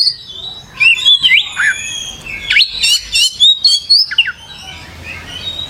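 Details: Oriental magpie-robin singing actively (gacor): a soft opening, then a loud burst of sliding whistles and sharp staccato chirps at about four per second, fading to quiet low notes at the end.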